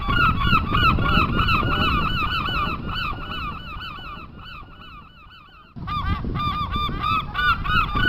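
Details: A large flock of seagulls by the sea at Mumbai gives constant overlapping, nasal, down-slurred cries, several each second, over a low rumble of sea and surf.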